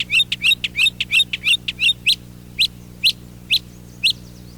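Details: A male northern mockingbird perched in a backyard tree in spring sings loud, varied, often repeated phrases: a fast run of sharp chirpy notes, then slower, evenly spaced bright notes about every half second. A faint low hum sits beneath.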